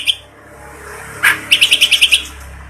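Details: Clamorous reed warbler, a kept bird in lively song, heard day and night: over a steady low hum, a single harsh note, then a quick run of about seven sharp, evenly spaced chipping notes.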